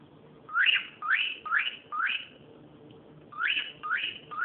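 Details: Cockatiel calling with sharp upward-sweeping whistles, each rising steeply then holding high, repeated about twice a second in two bursts separated by a short pause.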